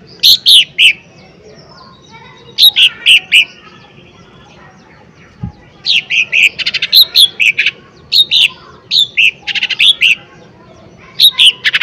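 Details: Lesser green leafbird delivering forceful lure song intended to stir a response: phrases of bright slurred whistles and buzzy chatter repeated every one to two seconds, with a short lull in the middle.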